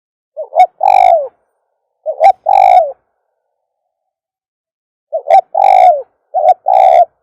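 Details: Lure call for attracting doves, with repeated phrases each made of one or two quick short notes and a long, full, slightly falling coo. Four phrases are separated by pauses, one lasting about two seconds, over a silent background.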